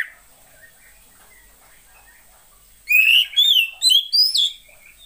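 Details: Female Oriental magpie-robin, a voice used to stimulate males that sing too little. After a low background hiss, four loud whistled notes, some rising and some bending down, arrive in about two seconds.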